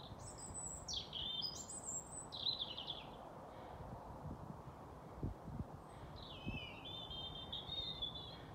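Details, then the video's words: European robin giving its evening song at 21:25 on 28 April 2022, in the last sunlight before dark on Tallrotsgatan, Haga: thin, high warbled phrases with sliding whistles and trills, in two bursts, over low rumble. "Rödhake sjunger"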